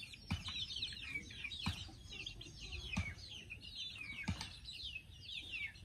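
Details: A group of chicks preparing for sleep peep continuously in high, descending notes. Four dull thumps break in at regular intervals.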